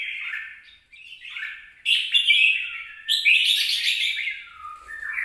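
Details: Red-whiskered bulbul, 26 April 2022: a soft warble fades to near silence, then two loud bursts of harsh, rich twittering follow, the last sliding downward before a brief upturned note.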